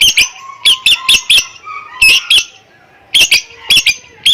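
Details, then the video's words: Greater green leafbird recorded 7 August 2021, imitating a lovebird; loud sharp squeaky notes in quick clusters of three to four, with brief soft whistles between and short pauses. "Cucak ijo narik love bird"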